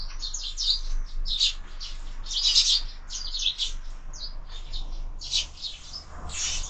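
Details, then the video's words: Sparrows fighting over food at a window-mounted feeder; clustered harsh chirps and scolding chatter in uneven bursts, with soft low rustling in the background. "Воробьи в кормушке - драки, драки"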